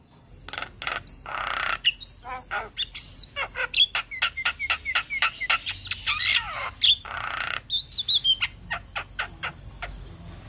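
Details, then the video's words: Energetic song of a nodding black-winged starling: hissing rasps and whistled slurs mixed with dense runs of sharp clicks and squawks, a descending whistled sweep in the middle, busy and varied throughout. "Jalak Kebo gacor manggut Manggut"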